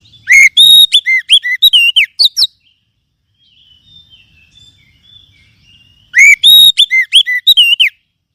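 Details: Oriental magpie-robin song used as a lure to spur caged adult and speckled juvenile birds into singing: two loud bursts of rich whistled, slurred notes with bright overtones, separated by a quiet gap of about three seconds.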